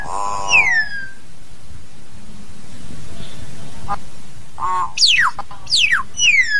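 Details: Hill myna singing to call its flock: a rich harmonic nasal note, then a falling whistle, and later a run of steep, loud downward-sweeping whistles with a brief harsh burst between them.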